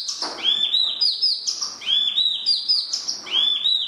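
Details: Spot-throated babbler giving a repeated whistled phrase, a high note dropping into a sweet rising-and-falling slur, repeated about every second with steady rhythm.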